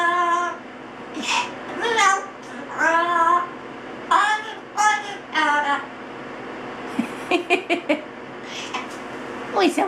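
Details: A Double yellow-headed amazon, 8 months old, sings and talks in a child-like voice after a spritz bath in the shower, trading song verses with its owner: harmonic warbled phrases and bursts of sharp high notes in a small echoing room.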